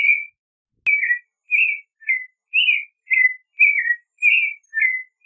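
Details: Clay-colored thrush (Turdus grayi) song: after a sharp click, a string of varied mellow whistled phrases follows, each slurring up or down, with faint high thin notes above in the middle.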